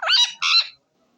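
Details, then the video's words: Rose-ringed parakeet (green ringneck), a pet, gives two harsh, squawky screeches in quick succession, each about a third of a second, loud and grating. "Natural Sound Of Green Ringneck Parrot"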